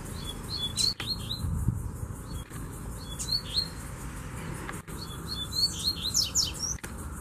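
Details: A male Double-collared Seedeater (Sporophila caerulescens) sings quick bursts of high, sharp chirps and slurred whistles, challenging a rival male to fight. A female is nearby and several birds call over a steady low background hum.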